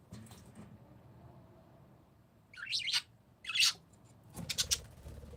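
Three harsh, grating parakeet screeches, each about a third of a second, come in a quick series over a low background rumble that sounds like distant traffic.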